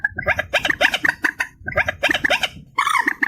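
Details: Reed warbler, amplified: rapid rattling, scratchy chatter in two dense bursts of repeated harsh notes separated by a brief pause, ending in higher squeaky notes.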